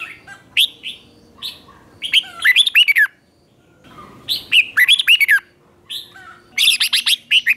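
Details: Red-whiskered bulbul giving its morning song for training and stirring up other bulbuls; three quick warbled phrases of rising and falling whistles separated by short pauses, faint background rumble.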